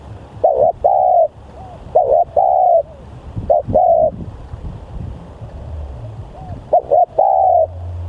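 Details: Aggressive, very vocal decoy spotted dove gives four phrases of a short double note and a drawn-out coo, spaced irregularly, with low rumbling in the background.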